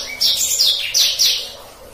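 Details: Brief burst of black-throated canary gacor ngeroll song for canaries to learn: three or four loud, high downward-sweeping whistles in quick succession, then fading.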